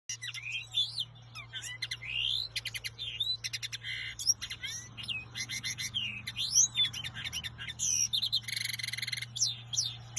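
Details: Common linnet (Carduelis cannabina) singing: a fast, varied twittering of high chirps, rising whistles and rapid buzzy trills, with a steady low hum underneath.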